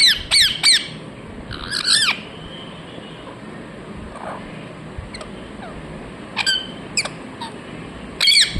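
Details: Ringneck parrot chirping: sharp harsh squawks with steep falling sweeps, clustered in bursts near the start, middle and end, with quieter faint calls between and a low steady background hiss.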